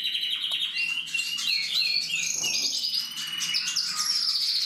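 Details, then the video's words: Singing canary recorded in 2023, a continuous high warbling run of rapid trills, twittering notes and sliding whistles, steady and unbroken throughout, with faint room hum beneath. "Kanarienvogel singt"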